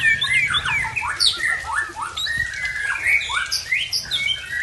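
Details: Aggressive post-moult song of a White-rumped shama from Tangse, Aceh: a dense stream of loud swooping whistles and chattering notes, varied and unbroken throughout.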